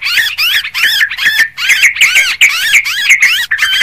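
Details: Sooty-headed bulbul lure recording, sounding busy and noisy: loud bubbling, warbled notes that rise and fall, given in quick unbroken succession with barely a pause and no other sounds.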